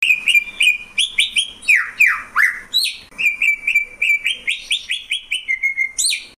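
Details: Greater green leafbird in lively song: rapid varied whistles, several sweeping downward slurs in the middle, then a run of short, even, chirpy notes with a few higher upswept phrases, continuous and loud throughout.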